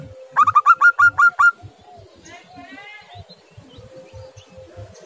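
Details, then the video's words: Zebra dove of a local Indonesian strain, calling to prompt a silent dove: a short burst of rapid staccato coos, then quieter chattering bird notes and a steady faint hum. "perkutut lokal GACOR. biang memanggil perkutut macet"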